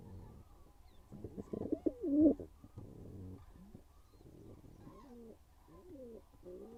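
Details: Pigeon pair courting inside a nest box. Low, rolling, bending coos are interrupted by a louder burst of rustling and wing movement, then soft repeated cooing phrases resume.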